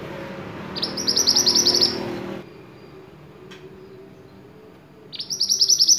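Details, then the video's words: White-eye singing vigorously as a tutor recording for cage songbirds: a high, fast trilled phrase, a pause with passing traffic rumble, then another rapid trill starting. "burung mantenan gacor"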